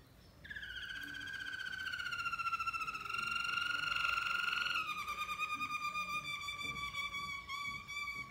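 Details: Singing Malinois canary delivering long, smooth rolling trills: a sustained pulsed tour that swells, then shifts to a lower, slower-pulsed roll with a throbbing rhythm for several seconds.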